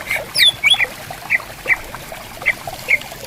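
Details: Greater green leafbird answering in bamboo forest by a calm, clear river: a couple of high slurred whistles at the start, then single bright chip notes spaced roughly half a second apart.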